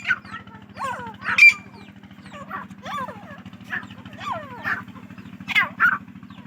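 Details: Female grey francolin on a farm in Pakistan, giving repeated sweeping, downward-curving calls about once a second over a steady low mechanical hum.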